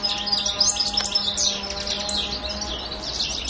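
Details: European goldfinch on Pantelleria island, 2 January 2011: rapid twittering song of bright liquid notes and short trills, continuous over a faint steady low hum.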